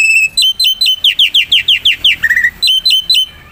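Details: Black-winged myna singing loudly as a tutor recording for songbirds. A steady series of about fourteen short, bright chirped notes comes in even rhythm, several slurring downward, then a brief lower trill.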